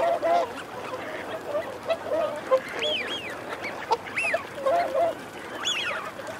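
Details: Wigeon, males and females, calling: low, gruff growling notes run through the clip, with three or four sharp rising-and-falling whistles standing out above them.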